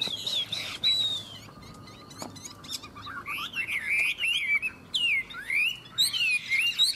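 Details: Chinese hwamei in Tuyen Quang, Vietnam, probing an opponent in a two-bird singing contest: clear whistled slurs, a faint hum in a quieter middle, then loud sweeping and falling whistles mixed with rapid chirps.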